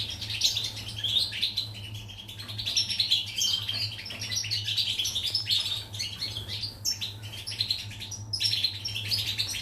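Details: European goldfinch singing, recorded 14 July 2019: a continuous rapid twittering of liquid, tinkling chirps and short trills, high-pitched and bright, with a steady low electrical hum and a faint constant tone underneath.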